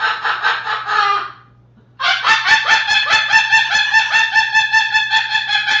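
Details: Pet Moluccan cockatoo laughing indoors with other pet birds: loud, harsh, rhythmic laugh-like bursts, about two or three a second, pausing briefly before a longer run, over a low electrical hum.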